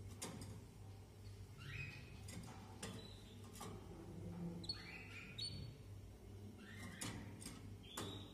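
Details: A Maltese canary (Serinus canaria domestica) sings short phrases of clear, steady whistled notes and brief trills, broken by sharp clicks over a constant low hum.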